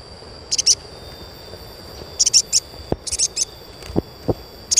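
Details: Asian pied starling chirps for training young birds: short clusters of two or three high squeaky chirps separated by pauses, with a few low knocks in the background and a faint steady high tone.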